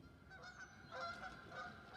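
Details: Several Canada geese honk over one another as the flock takes off from a pond in the Northern Virginia woods in the morning, possibly after a disturbance, with loud nasal calls repeating every half second or so.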